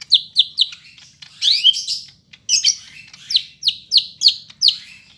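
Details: Greater green leafbird of the Medan type delivering a densely filled song, recorded Monday 5 September in Bandung: rapid bright downslurred whistles repeated in quick runs, broken by a harsher rising buzzy phrase midway.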